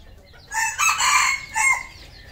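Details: Red junglefowl kept on a farm in Cambodia crowing: a short, loud, hoarse crow in three quick joined parts, a rising opening note, a longer strained middle and a clipped falling end, over quiet background.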